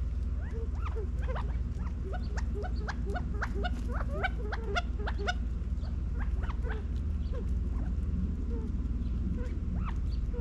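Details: Dense chatter of quick chirps and clipped notes from California quail feeding and running around in a Las Vegas, Nevada back yard, fall 2022, packed closely mid-clip, over a steady low hum.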